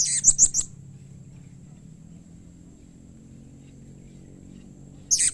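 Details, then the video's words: Blue-crowned hanging parrot call of the kind said to make other hanging parrots answer: a quick run of four thin, very high chirps, then a long quiet gap and one more brief high note at the end. "SUARA Serindit Seperti Ini Paling Di Sukai & Cepat Di Respon Bikin Nyaut Semua Burung Serindit"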